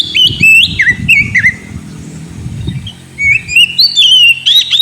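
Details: Caged Oriental magpie-robin song played to coax a silent bird: stepped whistled notes sliding up and down, a short break, then a rising sequence of clear whistles, with low rumbling handling noise.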